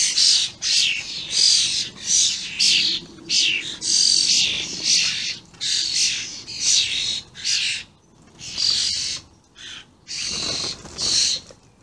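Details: Common starlings, juveniles with adults, very vocal on 28 May 2016, producing a steady run of around fifteen rasping, wheezy screeches, roughly one every three-quarters of a second.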